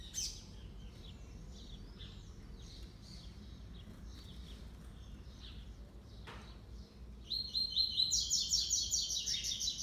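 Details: Double-collared seedeater, a brown six-month-old singer of the classic three-note style, competing with a black-plumaged male: soft scattered high chips, then a loud, rapid, buzzy trilled phrase bursting in near the end over faint hum.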